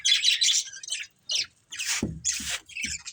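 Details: Pet budgerigars in a family group chirping: bursts of scratchy, warbling chatter with short squawky notes, separated by brief pauses.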